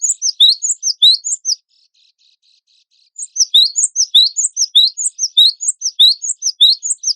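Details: Cinereous tit, wingko type, singing steadily as contest tutor song: brisk repeated high upslurred chirps, a pause of roughly one and a half seconds, then a longer, even run of the same sharp notes.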